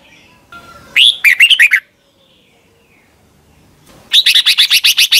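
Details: Red-whiskered bulbul from Thailand, kept as a cage bird, in a song meant for young birds to copy: a fast warbled phrase of slurred notes, a pause, then a rapid run of about nine sharp repeated chirps.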